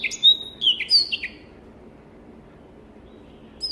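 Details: Black-throated canary kept in a private collection, recorded as a tutor track: a short burst of bright whistled and slurred notes for about a second, then near silence, and a single high whistle returning at the end.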